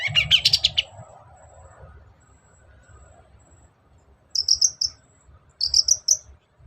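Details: Long-tailed shrike lure song meant to prompt a lazy bird to answer: a dense harsh chattering burst at the start, a quiet gap with a faint low hum, then two runs of three or four high, clear whistled notes.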